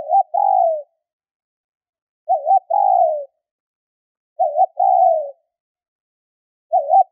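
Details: A female spotted dove gives a call meant to excite males. A quick wobbly two-part note leads into a drawn-out descending coo. The phrase repeats roughly every two seconds, three full times plus a start, on a silent background.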